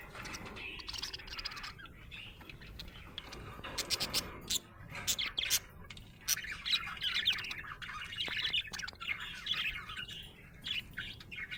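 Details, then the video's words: Budgerigar in a happy mood, chattering and warbling continuously, with dense bursts of clicks and squawky chirps, busiest in the first half. "Happy budgie chirping sound"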